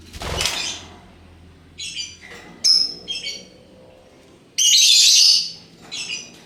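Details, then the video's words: Colourful lovebird, a hook-billed parrot, in ngekek voice: a low rustle or flutter at the start, then scattered high shrill chirps and one long, loud, grating screech near the end. "Burung Lovebird Rupa Rupa Warnanya, Burung Paruh Bengkok, Bunyi Ngekek Gacor"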